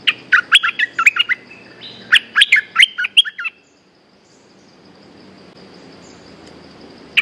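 A bulbul sings a quick burst of bubbly, warbled notes for about three seconds, then falls silent under faint background hiss.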